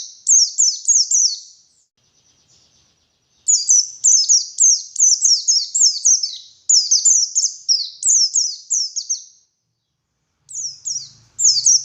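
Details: White-eye in vigorous morning song used to lure wild birds: repeated fast phrases of piercing, high, descending chips, each run lasting a few seconds with short pauses, and a faint low hum near the end.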